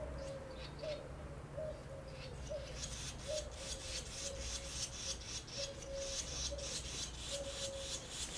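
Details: Barn swallow chicks in the nest in the days before fledging give dense, scratchy high chirps in quick bursts; a low steady hum runs underneath, with short mid-pitched tones repeating about once a second.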